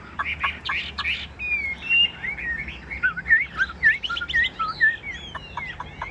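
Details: Chinese hwamei in a cage, kept by Vietnamese bird keepers, opens with a few sharp chips and then delivers varied, rising and falling whistled notes in quick, uneven succession.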